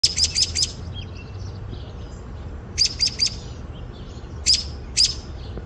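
American robin giving sharp, high 'pik' alarm notes in quick bursts of three, then two spaced single notes, over a faint low background hum.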